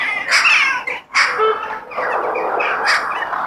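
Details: Crow outdoors in nature: harsh, raspy caws with a brief gap near the first second, then a longer drawn-out rough call and another loud caw, over a steady background of other birds calling.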